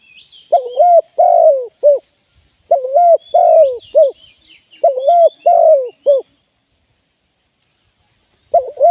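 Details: Spotted dove used as a live decoy for trapping, giving three deep three-part cooing phrases, each with a short final note, about two seconds apart, then a fourth starting. Small birds chirp faintly in the background.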